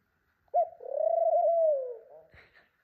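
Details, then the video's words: Female pet ringneck dove indoors, checking out a nest spot, giving one long, low, steady coo that lasts about one and a half seconds with a slight waver, then fading off, followed by a faint rustle. "my pet ringneck dove cooing!"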